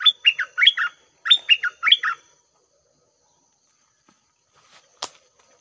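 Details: Red-whiskered bulbul used as a decoy bird at 6 am, singing two bursts of bright, chirpy warbled phrases in quick succession, then silence and a sharp click.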